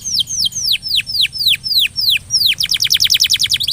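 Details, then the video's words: Canary song used to stir a stalled canary into singing: loud sweeping notes falling steeply, spaced about a quarter second apart, then accelerating into a tight burst of rapid high sweeps. "Kenari gacor...!!! paling jitu memancing kenari macet jadi lebih rajin bunyi ( pancingan kenari)"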